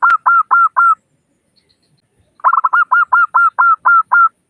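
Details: Local Zebra Dove with a 'crystal' voice, played to lure doves and get them calling. A phrase of four rhythmic, hollow coos, a pause, then a longer string of about nine evenly spaced notes at roughly four per second.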